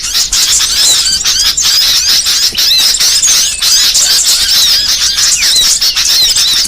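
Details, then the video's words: Small songbirds in a varied training mix: loud, constant high-pitched squealing chatter, with fast slurred notes packed tightly and barely a pause. "MASTERAN BURCIL VARIASI"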